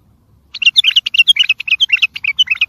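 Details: Bulbul song played to train and stimulate young birds: a quick run of about twenty sharp, chirpy whistled notes, bright and varied, starting after half a second and continuing steadily with no other clear sounds.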